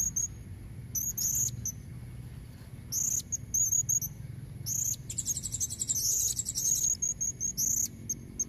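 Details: A female blue-crowned hanging parrot calls to draw in males: scattered shrill chips, then a longer run of rapid high trilling, repeated in bursts, over a faint low background.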